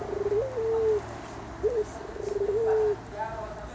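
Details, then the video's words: Puter, a collared dove from Java, cooing low: a stuttering, rolling start gives way to a rising then long level note, with a short slurred coo between two full phrases, over faint background hum. "The bird call Puter"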